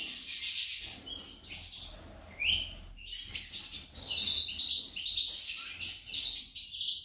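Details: The female goldfinch delivers rapid twittering song: sharp rising chirps, tinkling notes and buzzy trills strung together with brief gaps.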